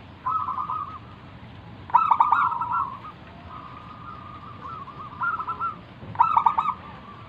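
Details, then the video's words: Local wild zebra dove singing vigorously, recorded as a lure to draw other doves into song; rapid rolling trilled coos with a louder burst near two seconds and again near six seconds, over a steady background hiss. "burung perkutut lokal Gacor manggung"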